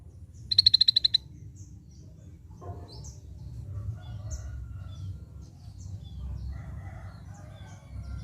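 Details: Scaly-breasted bulbul delivering a loud, rapid trill of about eight high, even pulses lasting under a second, followed by softer scattered chirps and faint notes from other birds.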